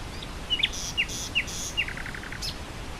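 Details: Singing nightingale amid wind over grassland: a few sharp downslurred chips spaced apart, then a quick run of low repeated notes and a final high note, wind hissing throughout.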